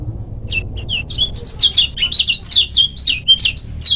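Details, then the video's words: Short-speed master song of a Lombok lemon-bellied white-eye, used to coax lazy birds into singing: a few sparse high chirps lead into continuous rapid, buzzy twittering with steeply sliding notes. "Suara Burung Kecial Kuning Gacor Tanpa Doping Untuk Masteran Kecial Kuning Lombok Speed Pendek"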